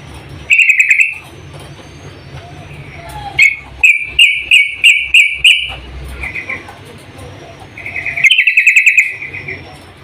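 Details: Female sooty-headed bulbul calling the male: loud bursts of rapid, bubbly chattering notes, one short burst early, a run of about six pulsed phrases mid-clip, then another quick chatter near the end, over faint low background hum.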